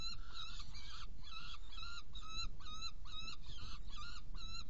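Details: Saker falcon, Hungary, evening of 16 June 2018 at 18:57, feeding two young after bringing prey: a hurried series of short, slightly upturned nasal calls, around two to three per second, with constant low background noise.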